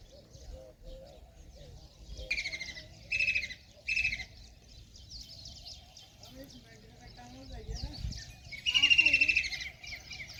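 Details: A kingfisher by the river in Ranthambore National Park, Rajasthan, after eating a big fish, gives shrill high-pitched calls in three quick bursts, then a longer piercing whistle, over a low murmur of voices and noise.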